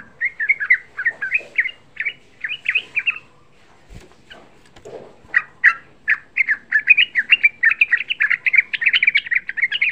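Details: Lure song of a young yellow-vented bulbul, meant to provoke rival bulbuls to answer. Chattering phrases of quick slurred whistles give way to a brief gap with a thump and a low note, then a dense, accelerating run of bright notes.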